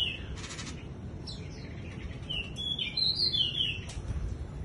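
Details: Bush lark in wing-flutter display: an early buzzy flutter burst, a pause, then a rising sequence of bright slurred whistles growing louder toward the end.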